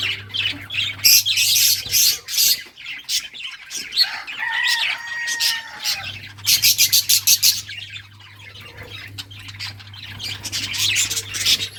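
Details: Pet budgerigars playing and chirping, a flock of high, rapid chatter in bursts with a few short pauses, a low steady hum running underneath for most of the recording.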